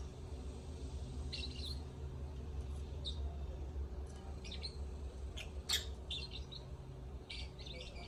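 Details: Lovebird song of high, scratchy chirps and squeaky notes in uneven bursts, including one sharper loud squeak, over a steady low-pitched hum.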